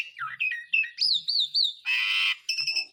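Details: Asian pied starling song used as a lure for birds that have stopped singing; quick whistled chirps, a wavering warbled whistle, then a loud grating buzz followed by short repeated whistled notes.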